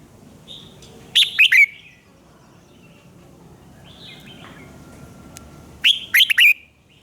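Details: Red-whiskered bulbul singing in the morning as a training voice for other birds: two bright phrases of quick, dropping warbled notes about five seconds apart, with faint chirps in between.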